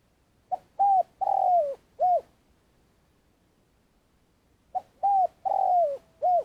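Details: Spotted dove used as a decoy for trapping in Vietnam, giving long calling: two matching phrases about three seconds apart, each a brief note, two hooted coos, a longer drawn-out falling coo, and a final short coo, in a quiet setting.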